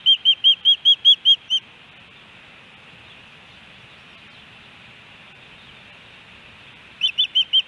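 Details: Osprey at a Hellgate Canyon nest in Missoula, Montana, on July 13, 2018, a three-fish day; a quick string of shrill whistled chirps, then five seconds of steady hiss, then more chirps at the end.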